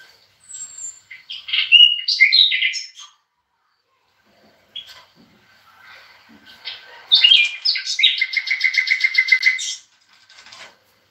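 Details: European goldfinch, kept with bulbuls, sings a twittering phrase of quick varied chirps, pauses, then delivers a longer burst ending in an evenly pulsed buzzy trill lasting about two seconds.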